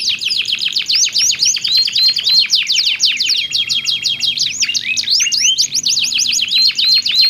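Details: Canary pair singing alternately to stimulate other canaries to sing; a nonstop stream of rapid high trills, rolling rattles and short upslurred whistles, dense and energetic.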